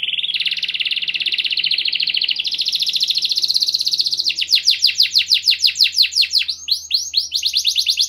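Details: Canary singing clearly to get reluctant canaries singing: a long, slowly rising buzzy trill, then a rapid series of sharp downslurred notes, with a faint low hum in the background.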